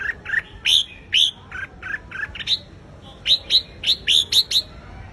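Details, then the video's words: Red-whiskered bulbul in competitive song meant to provoke a wild-caught bird into singing: clear whistled notes, lower slurred phrases alternating with bright upward-flicking notes, ending in a fast run of six sharp rising whistles. "Chào Mào Hót Đấu - Kích Chào Mào Bổi Ra Âm Sổ Bọng Hót Đấu Căng Lửa - Chào Mào Hót Sáng Ché Căng"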